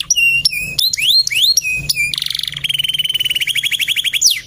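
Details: Male canary singing rising whistled slurs and flat piping notes, then a brief buzzy burst followed by a long steady rolling trill of evenly repeated notes, ending with a high upsweep; loud and clear.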